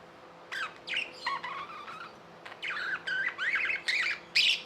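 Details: Budgerigars kept as tame pets give harsh, scratchy squawks and chirps in uneven bursts about twice a second, each call broken and noisy, with short quiet gaps between.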